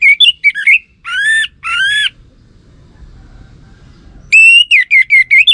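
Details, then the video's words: Orange-headed thrush lure phrases to make male birds answer: quick twittering notes, two drawn-out buzzy notes, a second-long pause, then a fast run of bright whistled notes. "Ga Bunyi Dengan Pancingan Burung ANIS MERAH Ini dipastikan Itu Burung Betina, Jantan Pasti Nyaut"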